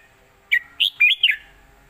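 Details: Red-whiskered bulbul giving a southern Thai master song, 'jok kwik khwai yo' style, for tutoring birds: a crisp four-note whistled phrase, the notes bouncing up and down, on a quiet background.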